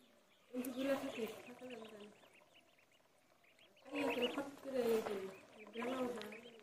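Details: Duckling and duck calls in a pond: three bursts of harsh, nasal, harmonic quacking, each lasting about a second with gaps between, and faint high peeps mixed in.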